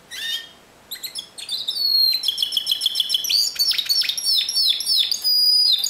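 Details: Discontinuous-style Timbrado canary song: an opening chirp, then a dense run of high, rapidly repeated metallic notes and descending slurs, about three or four per second, continuing without a break to the end.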